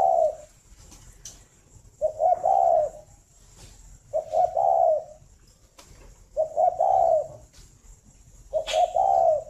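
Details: {'caption': 'Repeated morning song of a breeding spotted dove at a farm in Vân Hòa, Ba Vì, Hanoi, Vietnam. Five low, hollow coo phrases come roughly every two seconds, each a stutter of short notes ending in a drawn-out coo. Occasional sharp clicks are also heard.'}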